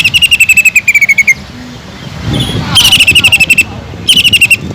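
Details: Greater green leafbird singing kingfisher-like phrases: three bursts of rapid, high, ringing notes, each about a second long, separated by pauses with faint low background noise.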